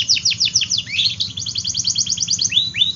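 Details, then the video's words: Lively canary song meant to prompt silent and young canaries to sing: quick descending whistled notes running into a rapid rolling series of chirps, ending with two sweeping upslurs, over a quiet low hum. "Kenari Gacor Af , Pancingan Kenari Sulit Bunyi dan Kenari Paud"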